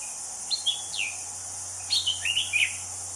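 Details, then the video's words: Wild anis cendana thrush: a couple of sharp downslurred whistles, then a rapid twittering run of high notes, set against steady insect hiss. "Kicau Anis Cendana Alam Liar"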